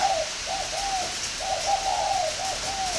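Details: Captive spotted dove at a northern Vietnamese breeding farm cooing: quick, closely spaced soft hoots, several short rounded notes then a longer drawn coo, continuous through three seconds with background hiss.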